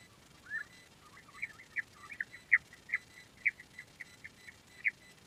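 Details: Quail giving a series of short, bright chirps near the same pitch, some doubled, spaced irregularly about once a second over a quiet background.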